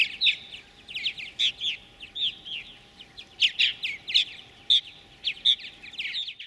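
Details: Purple martin pair feeding chicks in a gourd nest at a colony of over 100 pairs near Lacombe, Alberta, Canada, 2017; loud gurgling, burry chirps and warbles repeat in rapid bursts.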